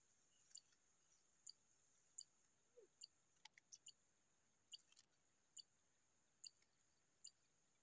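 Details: A hungry Zitting cisticola (Cisticola juncidis) chick begging for food with thin, very high ticking notes about once a second, irregularly spaced, over a steady high insect-like hum.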